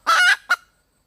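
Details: A hen red junglefowl calls for a mate with one drawn-out, harsh, buzzy note, then a single short clipped note, and then silence.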